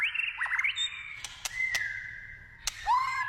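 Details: Wild white-rumped shama singing: clear whistled notes near one pitch, a quick rising trill, a long sustained whistle, and a drooping slurred note at the end, with sharp clicks in between.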